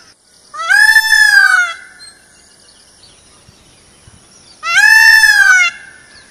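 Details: Indian peafowl (peacock) in a forest: two long, loud, nasal wailing calls, each about a second long and roughly four seconds apart, with quiet between.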